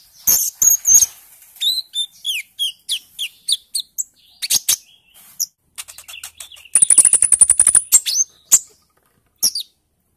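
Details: Purple-throated sunbird (kolibri ninja), a young wild-caught bird in early speckled-green plumage, used as a lure to get other birds singing; very high, thin chirps and quick downslurred whistles, then a rapid buzzy rattling trill and scattered sharp ticks.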